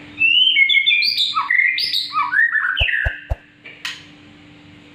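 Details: Black-winged myna in energetic full song: a run of varied whistled and squawky phrases with sliding notes, then a few sharp clicks and a rasping burst, with a steady low hum behind.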